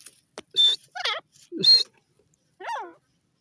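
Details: Grey francolin, known locally as teetar, giving a short run of grating, harmonic-rich call notes that alternate sharp high bursts with wavy, modulated syllables, ending on a single descending note after a pause.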